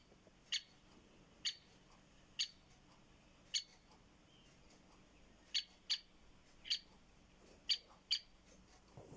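Great Spotted Woodpecker giving sharp, high 'kik' notes, singly or in pairs, about one per second, against a quiet background.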